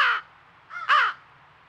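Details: Baby crow begging at a squirrel feeder in Nova Scotia, Canada, where its family chased off a squirrel; harsh hoarse caws, one brief, then a short lead-in rising into a longer raspy cry.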